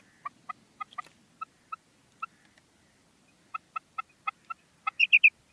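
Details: Female common quail calling: a run of short, evenly pitched single notes spaced about a quarter to half second apart, a pause, another series of single notes, then a quick higher three-note burst at the end. Quiet background.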